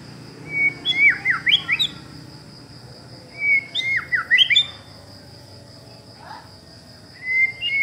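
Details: Long-tailed white-rumped shama sings loud, clear whistled phrases with sharp swooping down-and-up notes, repeated in bursts a few seconds apart over a steady background hum.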